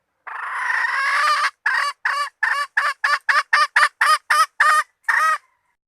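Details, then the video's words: Hen call for luring: a long, grating squawk followed by a steady series of about thirteen short, punchy clucks, the last one set slightly apart. "Suab poj qaib seev zoo 100% 2020 / latest hen standard bait 100%. 2020"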